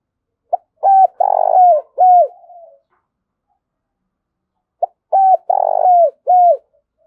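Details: Spotted dove giving thúc and gáy gọi coos in a thổ đồng voice. Two separated phrases of several soft, hooting notes each, with a short stuttering start, a long throaty middle coo and a falling final note. Silence fills the gap between phrases.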